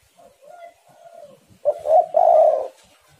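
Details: Spotted dove song from birds heating each other up, used as a lure to make other spotted doves sing; soft, low hollow coos at first, then two loud, throaty, slightly rough drawn-out coos near the end.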